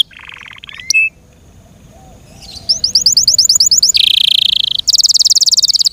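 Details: Pet Yorkshire canary song opening with a low buzzy rattle and a faint upslur, a quiet gap, then rapid high trills and a dense rolling trill at two pitches.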